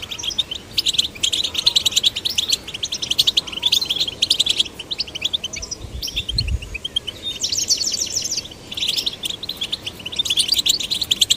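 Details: Male and female goldfinch chicks being stimulated to sing, giving long runs of quick, tinkling twitters and buzzy trills broken by short pauses, with a brief low thump midway.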